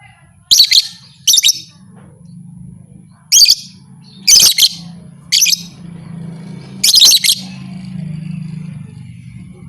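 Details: Lovebird giving calls meant to make rival lovebirds combative; six short, sharp bursts of high scratchy chatter, irregularly spaced, over a steady low electrical-like hum.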